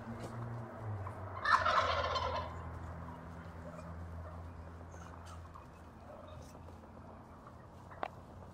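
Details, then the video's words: Wild turkey giving one loud, rattling gobble that bursts out and fades over about a second, followed by quieter calling. A sharp click is heard near the end, over a steady low engine-like hum. "when turkeys come a calling"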